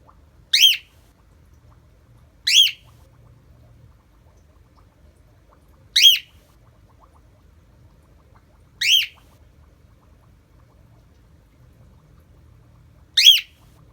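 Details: Female pet cockatiel giving loud, shrill flock calls, each a brief rising-falling screech repeated every few seconds, screaming until allowed to see her buddy in a mirror.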